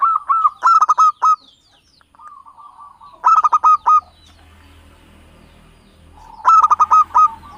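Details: Zebra dove of the local Java type, recorded as a trapping lure. It gives three clusters of fast, staccato cooing notes with quieter rolling coos between them, over a faint low hum.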